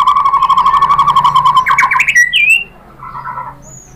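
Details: White-rumped shama singing a lure song with mimicked material meant to make other birds answer: a fast trill of about four notes a second near one pitch, then rising chirps and a brief high whistle before quiet.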